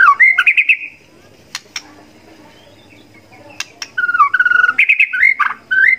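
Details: White-rumped shama song: bursts of clear whistled and slurred notes at the start and end, separated by a quiet stretch with a few sharp clicks.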